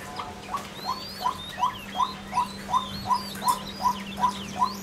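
A White-breasted waterhen, female, repeats a short, mid-pitched note almost three times a second at a steady pace, with faint chirps from other birds and a low hum.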